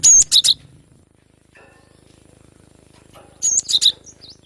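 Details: Young cinereous tit in wild forest, two short clusters of high thin whistled notes with a quiet gap between.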